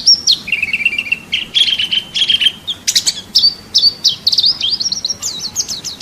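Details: Masteran training audio of a national champion white-eye (pleci): fast twittering with a rapid stuttering trill, buzzy bursts, then a run of high rising and falling zigzag notes.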